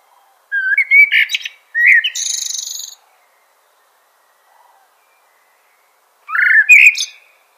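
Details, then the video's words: Common blackbird singing two mellow, fluted phrases that each end in a thin, high twitter, separated by a pause of about three seconds. "Common Blackbird Call/Song/Sound - Chirping/Singing Birds"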